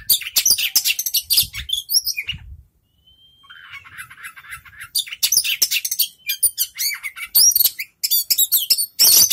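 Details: Young Javan bush lark singing: dense, very high, rapid scratchy and chattering phrases in fast bursts, a short pause with a thin whistled slur, then more vigorous twittering runs.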